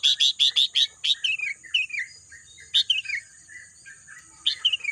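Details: Bird chorus in green countryside: a rapid burst of five or six loud, high chirps, then softer descending twittered phrases, with another short high chirp burst near the end.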